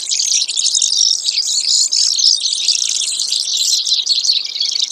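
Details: Brewer's sparrow giving varied high trills, some dry and rattling and others sharper and more whistled, linked in one long, unbroken phrase.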